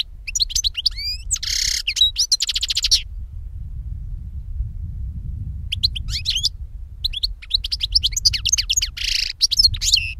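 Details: European goldfinch song used to lure birds for trapping: a harsh buzzy note and quick trill, then twittering phrases over a steady low rumble of background noise.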